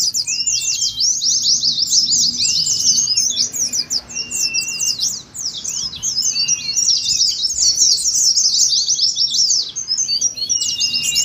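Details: Ngeriwik song by pleci, Oriental white-eyes, for stirring birds to sing during contest practice: long, busy high twittering with short dips, scattered flat whistles, and energetic chirp runs resuming after each lull.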